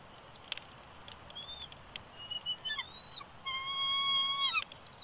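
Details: Wild male bald eagle at a nest at Big Bear Lake, California, on 20 January 2020, whining and protesting while his mate coaxes him off the eggs: thin high whistles, a few brief chirps, then a longer steady whistled whine with rich overtones.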